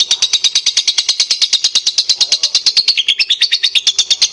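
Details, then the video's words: Lovebird pancingan song, meant to prompt others of its kind to sing: a continuous, very fast stream of harsh high chattering notes, about seven a second, unbroken throughout. "SUARA PANCINGAN LOVEBIRD DURASI GACOR PANJANG"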